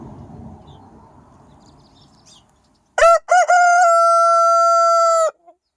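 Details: Morning rooster crow: after a soft rumbling background and a pause, two clipped notes lead into a long, level, sustained crow of about two seconds, ending abruptly, followed by a faint brief sound.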